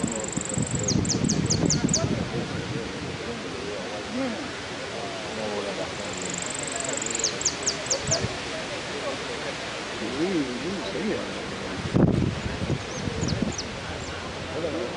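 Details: Saffron finch at a repique song competition in Caseros, Merlo, on 26-02-12 gives high, thin whistled phrases: a drawn-out note then a quick burst of four or five sharp repeated notes, three times, over people murmuring.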